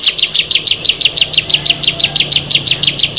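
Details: Bar-winged prinia (ciblek), one of six birds brought together, singing a fast, even series of high, sharp chipping notes, about five per second, with each note dropping slightly in pitch.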